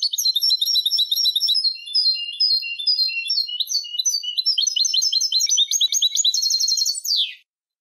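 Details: Extended European goldfinch song for training young goldfinches: seven seconds of nonstop rapid, bright twittering and tinkling phrases with varied motifs, ending in a buzzy descending slur; clean recording.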